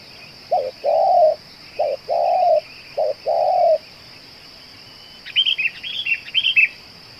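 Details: Decoy spotted dove, prized for cooing for hours: three low coo pairs, a clipped note then a longer even one, followed by a burst of higher chirping from another bird and a constant high-pitched hum.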